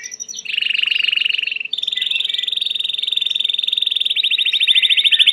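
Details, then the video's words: Loud, continuous Belgian canary trilling: a low pulsing roll, then a long steady higher buzzy tour, finishing with a fast rattling trill, all sustained for over five seconds. "COMO FAZER SEU CANARIO CANTAR MUITO 20 MINUTOS DE CANTO"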